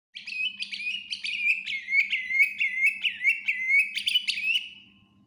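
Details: Greater green leafbird (cucak ijo) in energetic gacor song full of isian phrases, meant as tutor material for other birds: a rapid run of bright, slurred whistled notes, about two per second, fading out, over a steady low hum.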